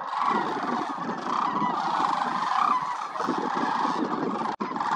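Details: Huge wintering flock of migratory sandhill cranes, more than 20,000 birds, at the Willcox Playa Wildlife Area. Countless rolling, trumpeting calls merge into a roaring chorus, with a brief break near the end.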